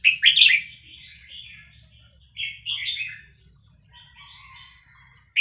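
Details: Caged red-whiskered bulbul of Vietnamese type, roused by chick-call playback, sings fast-linked phrases: a loud sharp opening burst, trailing warble, another bright phrase, then softer chatter before a final note.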